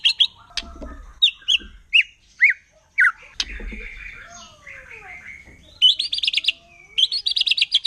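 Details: Wild white-rumped shama from forest, singing in a manner described as provoking rival shamas: a varied string of sharp chips, slurred whistles and long gliding notes, with low thuds early on, ending in rapid buzzy trills.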